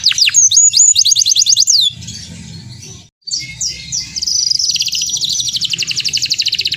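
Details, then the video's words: Singing canary used as a lure for other canaries: quick high trills and sweeps, a short break, then a long continuous rolling trill that drops slightly in pitch, over a low hum. "PANCINGAN BURUNG KENARI GACOR Ampuh ‼️ kenari lain ikut nyaut EMOSI"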